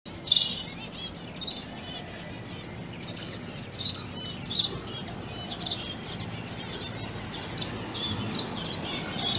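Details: Zebra finch chicks being hand-fed give thin, high begging cheeps in quick irregular bursts over a steady background hiss.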